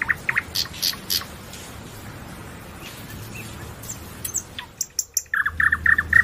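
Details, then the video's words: Singing nightingale with a few varied high notes and slurred chirps, a quiet stretch, then a sudden accelerating run of crisp, evenly spaced repeated notes that closes the phrase. "Lose Yourself in the Nightingale's Song"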